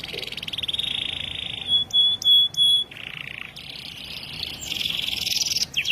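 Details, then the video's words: Canary in full, vigorous song: continuous high, rapid trills that shift to several sustained whistled notes, each held about a quarter second, before returning to buzzy rolling trills. "BURUNG KENARI GACOR 2021"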